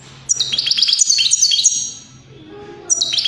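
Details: European greenfinch twittering in quick high notes that descend in steps, a short lull, then the next phrase starting up.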